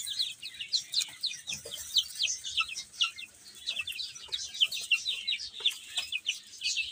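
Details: Baby chickens eating and playing produce rapid, high, downslurred peeps in a continuous overlapping chorus, several birds calling at once, over soft scratching and pecking noises.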